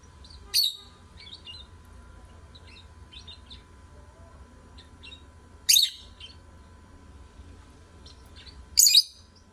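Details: Lovebirds singing to stimulate other birds: three loud harsh screechy chirps spaced about three to five seconds apart, with soft, quick high twittering in between over a faint steady hum.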